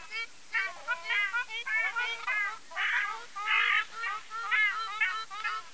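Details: Ruddy shelduck honks: nasal, harmonic calls delivered in a nearly continuous chattering sequence, overlapping notes suggesting more than one bird, with two louder blaring bursts near the middle.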